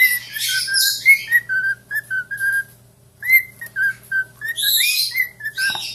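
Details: Parrot whistling indoors: a string of short, clear whistled notes, some with quick rising slides, broken by a pause, with brief higher scratchy chatter between phrases.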